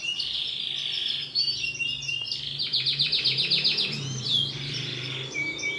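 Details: Female canary with bright green plumage: high twittering, then a fast rolled trill of evenly repeated notes for about two seconds, ending in clear whistled notes.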